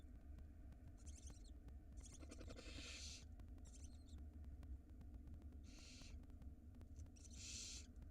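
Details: Young barn owl chicks in a nest box in Israel calling at feeding time: short scratchy twitter bursts alternating with drawn-out rasping hisses, about five in eight seconds, low electrical hum beneath.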